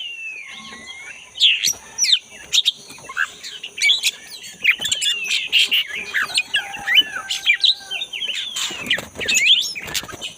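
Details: Black-breasted Oriental magpie-robin singing energetically in the wild forest, a lure for caged birds that have stopped singing; a dense, varied run of sharp whistles, slurred chirps and rising notes, with a steady high insect-like hum behind it.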